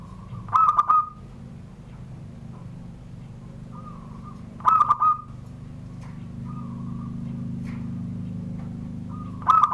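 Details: ['Privately kept zebra dove from Serang, Banten, cooing in the classic Surung Gdor manner under a door. Phrases of clipped notes ending in ringing tails repeat roughly every four seconds, with softer sustained notes between them and a steady low hum.']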